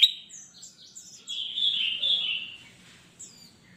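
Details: Ruby-throated bulbul (kutilang emas), a caged bird singing busily, recorded as a master for training newly bought cage birds that sing little. A loud warbling, slurred phrase runs through the middle, with high thin chirps before and after.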